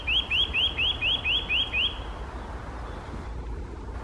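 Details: Eurasian nuthatch calling on a snowy morning, 6 April 2021: a quick run of eight clear rising whistles, about four a second, then stops, over a soft low background rumble.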